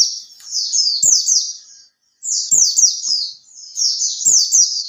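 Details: Oriental white-eye in captivity, three months in care, singing lure song: shrill, fast chattering runs of downward-slurred notes lasting over a second, repeated after brief silences, with faint clicks beneath.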